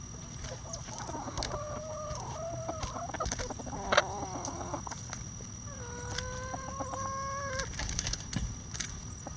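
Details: Bantam chicken flock enjoying hanging vegetable treats; a rooster gives a long, steady, tonal crow of nearly two seconds late in the clip, after earlier soft clucks and murmurs, over a constant low hum.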